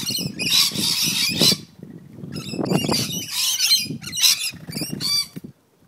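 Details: Wild rainbow lorikeets squabbling in a back yard, Central Coast, New South Wales: loud rasping screeches in three or four intense bursts, mixed with low scuffling thumps and wing noise, ending abruptly.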